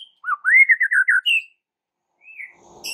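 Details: White-rumped shama singing, used to provoke other shamas: a rising whistle into a quick series of wavering notes, a pause, a soft fading whistle, then faint rustling noise.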